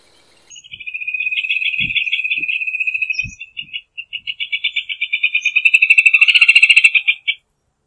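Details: Rufous hornero song: a sustained rattling trill of very fast notes, growing louder and fuller as a second voice overlaps it, ending abruptly after about seven seconds; faint low taps sound in between.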